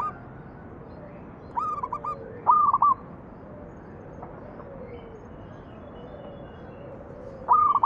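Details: Zebra dove song used to encourage other doves to sing: two stuttering whistled phrases close together, a long gap with faint background calls, then a third phrase starting at the end.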